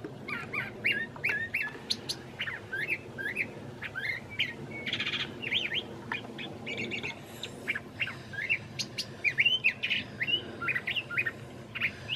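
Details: A curve-billed thrasher sings at length on a mild March evening in Santa Fe, New Mexico, hidden in branches; a long, varied stream of whistles, sharp chips and harsh buzzy bursts, a meadowlark audible behind.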